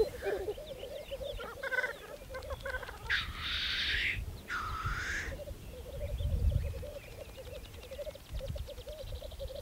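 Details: Black grouse displaying at a spring lek on Saaremaa, Estonia, 2014: more distant murmuring bubbling throughout, two sharp hissing sneezes close together in the middle, and some low background noise.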